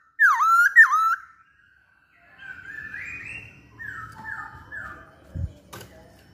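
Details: Masked laughingthrush in lively song: two loud, swooping notes that dip and rise, a short silence, then softer falling whistles in a quick descending series, with a single thump near the end.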